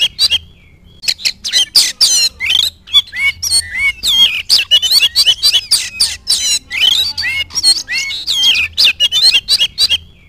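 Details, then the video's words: Oriental magpie-robin singing hard after spotting a rival: rapid bursts of sharp whistles, trills and scratchy squawks with brief pauses, over a faint low hum. "KACER GACOR LIAT LAWAN LANGSUNG NGOBRA"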